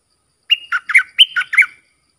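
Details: Bulbul song for training chicks and young birds: a loud, rollicking run of six notes in just over a second, whistled openings sliding into throaty, bubbling falling notes, with nothing else heard.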